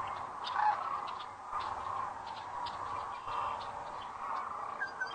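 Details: Many sandhill cranes come in to roost at sunset at Rowe Sanctuary, Gibbon, Nebraska, April 4, 2013, on a webcam; a steady massed din of rattling calls that swells and fades, with faint short high notes above.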